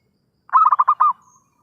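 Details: Zebra dove cooing, a lure call for bird trapping: one short phrase of about five rapid, rolling pulsed notes, the last held slightly longer, against a quiet background.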